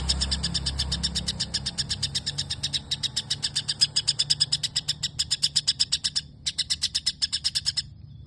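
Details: White-rumped shama rattling off imitated sparrow chirps, quick repeated sharp notes that swell louder midway, pause briefly, then resume, over a low rumble at the start.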